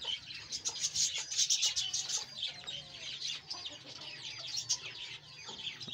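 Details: Australian parrots kept in a home breeding colony, a dense, continuous chatter of high chirps and warbles from many birds at once, with soft low background hum.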